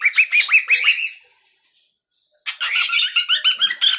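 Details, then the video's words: Young pet cockatiel chick singing: quick run of bright chirps, a thin trailing note fading to a second of near silence, then another burst of rapid squeaky chirps repeated about three per second. "Adorable Cockatiel Chicky's Cute Singing Moments"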